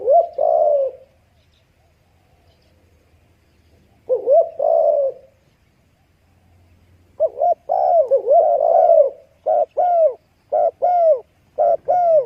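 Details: Spotted dove calling with two separate longer coos, a pause, then a quickening run of short paired hoots and a drawn-out coo, steady low-pitched and clear over quiet background.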